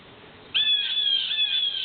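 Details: One of two blue jays, harassing a neighbour's cat hiding under a lilac bush along with a mockingbird, gives a single harsh, raspy, high scream lasting over a second, wavering slightly in pitch, against a quiet background.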